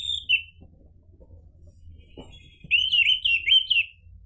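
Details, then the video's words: Orange-headed thrush phrases for prompting caged birds to answer: a short descending whistle, quiet clicks and knocks, then a loud run of wavering, looping whistled notes. "PANCINGAN ANIS MERAH biar bunyi NYAUT JADI GACOR ikut NGEPLONG"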